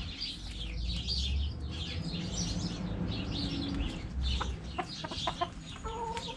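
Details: Chickens in a backyard coop: clucks and short repeated harmonic notes in the later seconds, set against steady twittering of small birds and low background noise.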